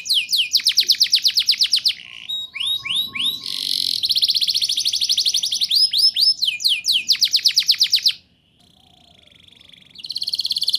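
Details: Canary singing as a prompt for juvenile canaries: dense rapid trills, rising whistles and a harsh rasp, a brief near-silent gap, then a high buzzy trill resuming.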